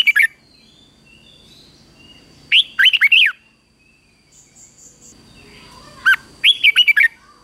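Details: Red-whiskered bulbul at morning song training, singing in fighting style: three loud phrases of rapid, looping whistled notes, each a quick run of four or five slurred syllables spaced a few seconds apart, with a faint steady tone behind.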